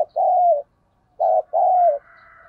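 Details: Spotted dove kept as a decoy bird to stir wild males into cooing: two loud, low, hollow coo phrases, the second a long, slightly falling note, separated by a short silence, with a faint higher hum afterwards.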